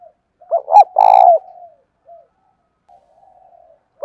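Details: Urging and calling coos of a spotted dove, used to lure doves: a loud deep phrase of short coos ending in a long rolling coo, then soft drawn murmurs and the start of another phrase.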